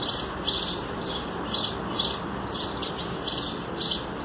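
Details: Sparrows feeding their chicks at a nest, with parents bringing food; bursts of high, scratchy chirps come in clusters roughly every half second to second over a steady broad background hiss.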